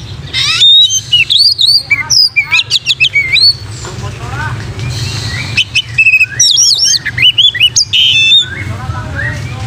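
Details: Oriental magpie-robin, locally kacer, singing a loud energetic song meant for training other magpie-robins: rapid varied whistles, sharp chips and slurred phrases tumbling together, with a steady low hum underneath.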